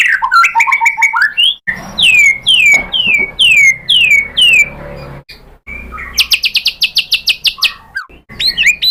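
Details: Shama lure said to be a female calling a male: jumbled slurred phrases, then five loud descending whistles about half a second apart, later a rapid high buzzy trill and twisting notes.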